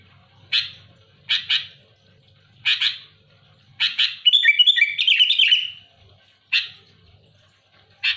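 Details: Sooty-headed bulbul challenging rivals: spaced double rasping chirps about every second, with one long, rich warbled run of whistles in the middle, set against a quiet background.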